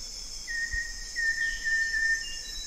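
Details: Olive yellow robin, or banded yellow robin, sings a string of level high whistles, four joined phrases in under two seconds, against a loud steady insect chorus.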